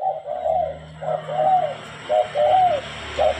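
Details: Tame, lively spotted dove cooing: soft hollow coo phrases with slightly rising-falling notes, repeated roughly once a second over a steady low hum.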